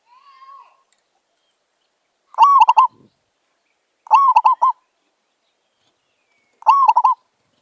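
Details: Zebra dove, a village bird met during decoy trapping, gives three loud, clear cooing phrases about two seconds apart. Each opens with a rising slurred note and ends in a quick run of staccato coos. A soft hum comes before the first phrase.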